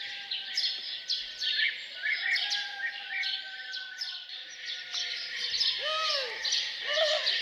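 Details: Around a farmhouse at morning, birds keep up a lively high chorus of chirps and trills; a long level whistle runs underneath, and two arched lower notes close the passage.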